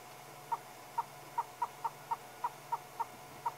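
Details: A Southern Yellow-billed Hornbill on safari in Sabi Sand, South Africa, at sunrise on a cool February 14, 2016, gives about eleven hollow, mid-pitched clucks, roughly three per second, over a faint low hum.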